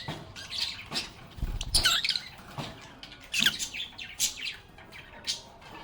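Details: Lovebirds chattering in a lively flock, with quick high chirps and short squeaky notes overlapping, plus a few low thumps and knocks from movement in the background.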